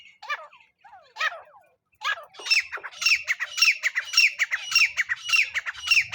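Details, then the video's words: Francolin (teetar) calling as a lure for trapping with a net: loud harsh squawking notes, a few spaced bursts then a fast run of repeated scratchy calls, nearly two per second. "teetar hunting sound"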